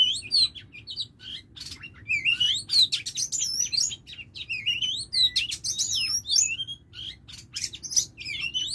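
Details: Lure female Oriental magpie-robin calling at length, mixing piercing upslurred whistles, sharp clicks and scratchy chirps in uneven bursts with short gaps, roughly one phrase every two to three seconds.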